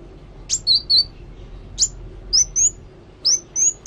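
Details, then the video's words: Sparse, high thin notes from a kolibri wulung sunbird singing actively: short sharp upsweeps followed by level whistled tones, given in small groups separated by about a second of quiet. "Kolibri Wulung Gacor"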